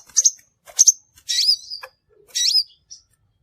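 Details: Crimson sunbird lure calls for trapping: two high double chips followed by longer harsh, buzzy descending slurred notes.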